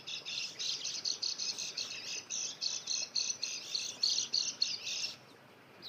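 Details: White-eyes singing, used for luring wild birds: a dense run of high, bright chattering notes strung closely together for about five seconds, then stopping, with faint background hiss.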